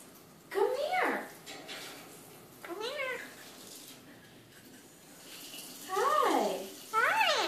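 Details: A pet Eclectus parrot talks in the evening with loud, speech-like phrases that have sliding, rising and falling tones. The phrases come in several bursts separated by quieter pauses, and faint room noise fills the gaps.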